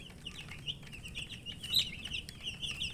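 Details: Coloured chicken chicks, thirsty for drinking water, chirping together: a steady stream of high, thin, downward-slurred peeps overlapping from several birds, with faint clicks and tapping in the background.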